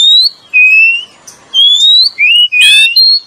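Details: Lure song of Oriental magpie-robin, male and female: long pure whistles alternating between higher and lower pitch with short pauses, one rasping burst near the end, then a final sustained whistle.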